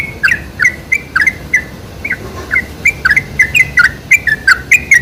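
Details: Sooty-headed bulbul lure song with spaced, bright slurred chirps, sparse at first with a short lull, then growing quicker and more crowded toward the end.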